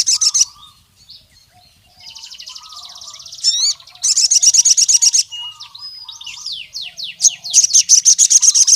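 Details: Wild crimson sunbird in strong voice calling to a rival male: repeated runs of piercing, rapidly pulsed high trills broken by quick downward-swept squeaky notes, delivered energetically throughout.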